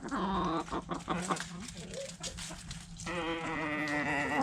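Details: Backyard chickens, hens and roosters, eating food scraps: sharp pecking clicks and scattered short notes, then a long, loud, harmonic-rich call with a wavering pitch that fills the last second and a half.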